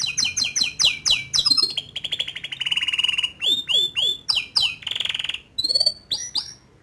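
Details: Song of a young male canary meant to stimulate a juvenile to sing. A series of loud descending chirps, then a long rapid rattle, followed by sweeping downslurred notes and buzzy bursts.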